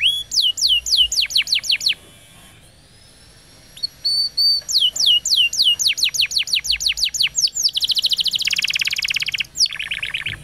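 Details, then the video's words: Canary roll song meant for training young canaries: fast repeated downslurred whistles, a steady high tone, then dense buzzy rolled trills and a rising note, high and clear throughout. "Canary Bird Singing Roll Video Training Canaries Canary Singing Like A Champion For Young Canary"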